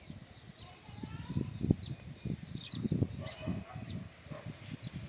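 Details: Sparrows around their self-built nests, chirping in quick, high, falling notes that repeat irregularly over low rumbling and faint background murmuring.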